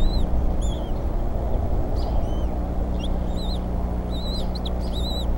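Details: Decorah nest of bald eagles, evening of April 8, 2014, with the female feeding small eaglets and the male making two prey deliveries. Shrill, wavering whistled notes come singly, then in quick clustered runs, over a constant low rumble.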